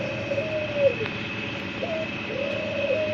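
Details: Soft, fainter cooing from a white dove: two drawn-out, gently falling purrs separated by a brief upward note, over a constant thin background tone.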